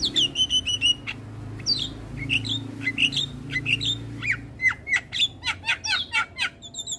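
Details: Morning song of a Javan myna used as a model for young birds, made of clear whistled notes and downslurs, then a fast series of sharp chirps and clicks toward the end, over a faint low hum.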